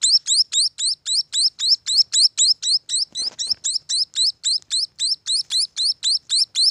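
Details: Steady train of thin upward-sweeping chirps from munia chicks, close to four per second, with a short soft rustle midway.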